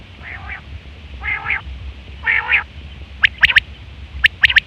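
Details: Female quail trapping call: three lower, nasal, rolling phrases followed by two groups of crisp rapid high triple notes.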